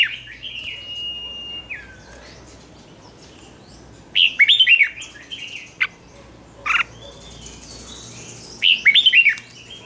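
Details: Caged red-whiskered bulbul trained to sing in the morning in the ché style. A long steady whistle opens, then short bursts of sharp warbled notes come at irregular intervals over faint background hiss.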